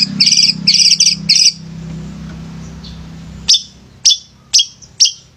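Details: Male long-tailed shrike (pented) singing to prompt lazy shrikes to call; a few bursts of rapid high trilled notes, then a pause and single sharp high chips about every half second over a low mechanical hum.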